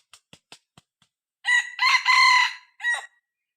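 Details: Young six-month-old decoy cockerel crowing to draw in wild red junglefowl. Several soft clicks or taps come first, then a loud, close crow: a rasping rise, a long level middle and a short clipped last syllable.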